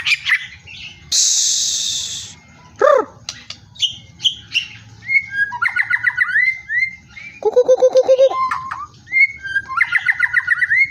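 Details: White-rumped shama delivering a varied, energetic song: a harsh rasping burst, a descending whistle, then fast repeated rattling trills and bright rising whistles, over a low background hum.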